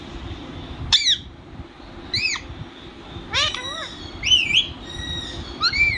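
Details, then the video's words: Pet talking parrot giving a series of short, clear, harmonic squawks and warbled notes, some rising and others bending up and down, spaced about a second apart over a steady low hum. "Talking parrot"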